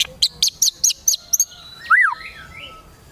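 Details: White-rumped shama singing in the kretekan tembakan style, meant to provoke emotion: six short, sharp, high chipping notes in quick succession, then a loud swooping whistle rising and falling, with a faint steady tone behind.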